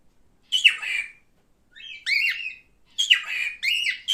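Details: Caged male cockatiel calling: harsh downslurred screech, then a short whistle leading into a rising-falling squawk, and two more rasping screeches close together.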